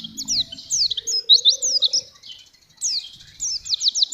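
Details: Oriental white-eye (pleci) singing energetically: bursts of high, rapid downslurred whistles, with a short pause midway before another fast run of sharp notes.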